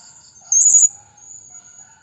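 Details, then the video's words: Blue-crowned hanging parrot call meant to lure other birds: one short, shrill, very high trilled burst of about three quick pulses, then a thin high tone fading away. "Suara Serindit Pikat Paling AMPUH"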